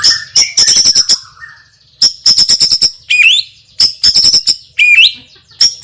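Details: White-rumped shama song, loud and forceful: clusters of sharp high clicks alternating with rising slurred whistles, repeated in similar phrases.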